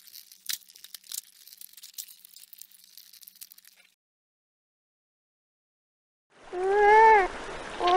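A Canada goose gives one loud, nasal, rising-then-falling honk, with the start of a second at the end, after a stretch of crackling, rustling noise.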